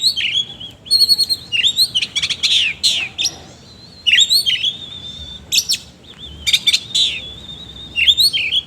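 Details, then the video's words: Kacer, the oriental magpie-robin, in full 'ngobra isian kasar' song. A dense, continuous run of scratchy chirps, rapid trills and high wavering whistles, with one brief quieter pause midway. "BURUNG KACER GACOR NGOBRA ISIAN KASAR"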